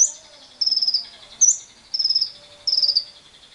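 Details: Lovebird lure recording, played to stimulate other lovebirds into long ngekek trilling, mixed with wild birds: three short, rapidly pulsed, high chattering bursts about a second apart, with brief sharp high whistles between them.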